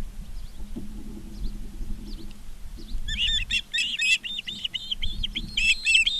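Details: High, sharp whistled chirps tumble quickly from Ospreys at a Montana nest in Charlo, live cam footage from an August 2023 afternoon; faint calls at first, then a loud rapid run, with low hum beneath.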